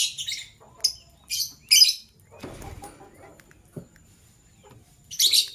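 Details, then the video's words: Morning chirping of a male lovebird choosing a partner: short, scratchy high chirps in four quick bursts, then faint rustling and light knocks before a final harsh chirp burst. "LoveBird Chirping Sounds - Male LoveBird Choose a Partner"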